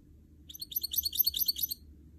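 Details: Hybrid goldfinch mule, a canary and goldfinch cross, giving a soft, quick burst of high twittering notes for about a second, like a rippling trill. The background is quiet.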